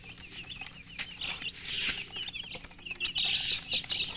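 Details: Colored chickens chirping: a dense overlapping flock of short, high, downward-sliding peeps, several each second, with soft scuffling and a few louder clicks.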